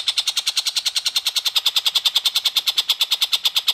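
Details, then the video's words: Rapid, mechanical-sounding chatter from a long-tailed shrike: harsh buzzy pulses repeated very regularly, roughly three to four each second, with no pause. "TENGKEK BUTO Gacor"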